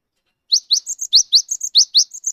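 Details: A freshly caught Cinereous tit, gelatik wingko, sings to prompt mute birds: quick upslurred chirps alternating with high, steady whistled notes, about ten notes in under two seconds, with no other sounds.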